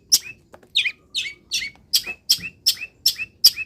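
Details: Caged long-tailed shrike after misting in morning sun, delivering quick rasping notes that turn into sharp high notes with hooked endings, repeated rapidly.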